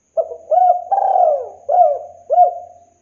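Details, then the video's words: Spotted dove cooing, used as a lure recording to get doves singing quickly. Low, hollow coos come in a short phrase: brief clipped notes with one longer drawn-out, falling coo in the middle, about five notes in three seconds. "PANCINGAN TEKUKUR BAHAN AGAR CEPAT GACOR BUNYI"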